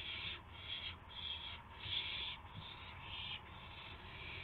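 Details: Owls before sunrise, 5:50 AM, 26 March 2016, with gopher and mouse prey delivered. Short, rough, noisy hisses come in quick succession, each under a second long.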